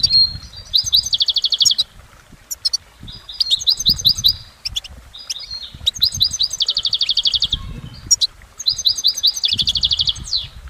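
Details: Goldfinch in nature delivering bursts of rapid twittering that end in dense buzzy trills, each burst about two seconds long with short pauses between, four bursts in all; quiet background.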